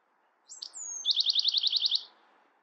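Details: Bewick's wren song: a few high introductory notes and a thin descending whistle, then a fast, even trill of about ten buzzy notes lasting roughly a second.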